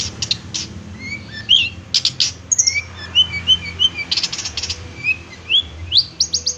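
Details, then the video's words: Long-tailed shrike song: varied high chirps and short whistled notes, some rising and some falling, delivered in irregular bursts, mixed with sharp broadband clicking sounds and a low background rumble. "masteran burung cendet"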